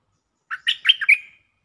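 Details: Stripe-throated bulbul kept in a cage sings a short liquid phrase used for luring: five quick warbled notes, the final note held and fading.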